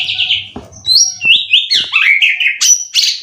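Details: Brief burst from a caged competition white-rumped shama in Indonesia: high descending whistles, thin piercing notes and quick slurred runs, loud and close.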